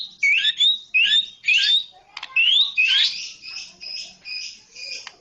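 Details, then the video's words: Song of a white-rumped shama, Medan type: clear, high rising whistles in quick bursts about every half second, followed by a brief quiet gap and then a series of sustained, ringing high notes. "kicau murai medan"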